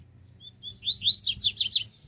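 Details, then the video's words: Double-collared seedeater singing a puxada-style song: a quick burst of high, sharp chirped notes, first a few separate whistles, then a rapid descending trill of slurred notes, over a faint low hum. "Puxada de Coleiro"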